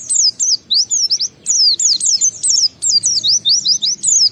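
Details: Oriental white-eye ngalas lure song for prompting other white-eyes: loud, bright high whistles sweeping down and up in quick repeated phrases, nearly continuous with short pauses.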